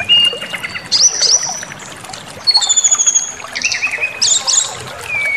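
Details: Brown-chested jungle flycatcher song meant to provoke anger and make birds show their full material: clear whistled notes at varied pitches, slurred phrases, and a pulsed buzzy burst, with quiet gaps between.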